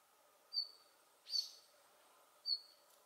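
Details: A male Siberian bluechat (red-flanked bluetail), recorded 10 December 2019, gives three thin, high whistled call notes about a second apart, the middle one harsher, over a faint steady background hiss.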